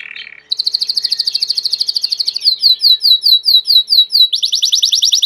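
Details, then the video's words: Belgian canary singing a short buzzy note, then a long, rapid, even trill, slower downward-sweeping notes, and a final fast rolled trill. "COMO FAZER SEU CANARIO CANTAR MUITO 20 MINUTOS DE CANTO"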